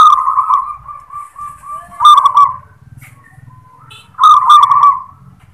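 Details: Zebra dove of a local strain delivering the "klar ketek kuk" song type: a soft rolling coo series, then two loud trilling, bubbling phrases at about 2 and 4.3 seconds, with faint low rumbling in the background.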